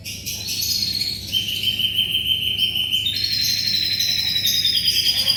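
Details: Lively canary song for training shamas. A long series of level, rapid, buzzy trills holds at a high pitch, shifting abruptly to a denser, higher roll midway and carrying on steadily.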